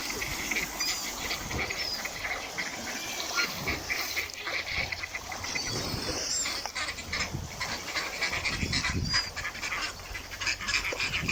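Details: A gathering of ducks quacks and calls almost nonstop, harsh repeated notes tumbling over each other.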